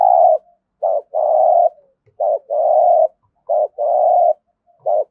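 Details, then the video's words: Competition-cooing spotted dove from Đồng Nai, Vietnam: phrases repeat roughly every 1.3 seconds, each a short clipped note followed by a longer even, throaty coo, loud and steady in a quiet setting. "cu gáy thúc gù kinh thiên động địa vang cả xóm Đồng Nai, cu gáy gù đấu"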